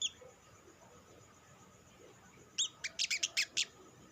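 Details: A sunbird lure sound, the olive-backed sunbird or sriganti, for stimulating other sunbirds to sing: quiet at first, then six or seven high, sharp chipping notes in a fast, uneven run.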